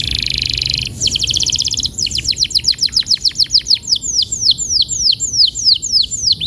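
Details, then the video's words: Canary song played as therapy to make canaries start rolling quickly: a buzzy high trill, then a fast even series of chirps, then slower downslurred whistled notes repeated about three per second. "Kenari gacor‼️terapi burung kenari agar cepat ngeroll"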